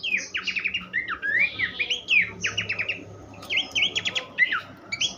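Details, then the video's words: Horsfield's babbler song from a tutor recording for songbirds. Quick trills of short, stacked notes alternate with long swooping whistles, and the bird keeps going for over five seconds over a faint low hum. "vokal mewah sang guru masteran khas pelanduk semak"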